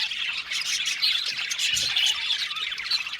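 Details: Budgerigars in an aviary colony giving harsh squawks amid rapid twittering, a dense high chatter with no quiet gaps.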